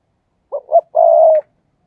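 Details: Single fast coo phrase from a decoy spotted dove meant to lure doves: two brief rising notes followed by one sustained, level coo, with no other sounds.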